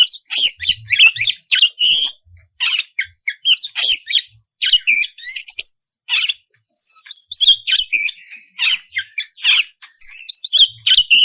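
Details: Oriental magpie-robin pouring out ngeplong-style song as a lure for untrained birds to answer; long run of high, varied phrases, sweet upslurred whistles alternating with scratchy chatter, separated by short gaps.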